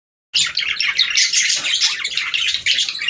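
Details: Budgerigar song played to stimulate breeding: dense, continuous chirping and warbling chatter with scratchy notes, several birds overlapping, starting after a short silence.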